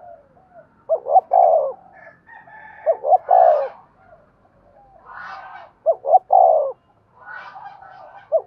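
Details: 'Giọng đồng' spotted dove used to draw in 'giọng thổ' wild birds: repeated low double-hoot-and-coo phrases, with brief harsher crowing-like bursts from another bird between them.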